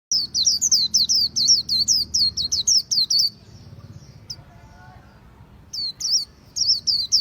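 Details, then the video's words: Khuyen bird singing a fast run of high, sharply down-slurred whistled notes, about four per second. It pauses near the middle with faint background noise, then resumes the same chattering phrase. "Khuyen Bird"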